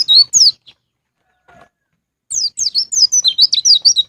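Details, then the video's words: A few scattered high notes, a pause, then a sustained rapid stream of shrill, slurred chirps from a white-eye (pleci), ngalas ngeplong style, used as a lure to make caged birds sing. "PANCINGAN BURUNG PLECI NGALAS NGEPLONG"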